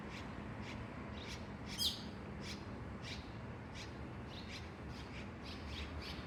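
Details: Red-rumped Swallow from a pair nesting on a home veranda, delivering a lively series of rapid high chirps and twitters, one louder buzzy note near the middle, over faint low background noise.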